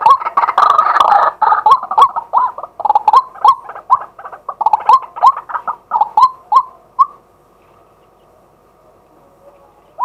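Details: A male White-breasted waterhen, calling in daytime, gives a fast run of hoarse, croaking notes, about three a second, slowing over seven seconds and then stopping, leaving a faint hum.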